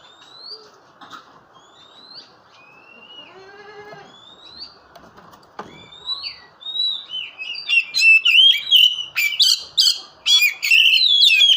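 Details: Oriental magpie-robin in full song: scattered clear whistled phrases, some rising and some slurred, for the first half, then a dense, loud stretch of rapid chattering and buzzy mixed notes with almost no pauses.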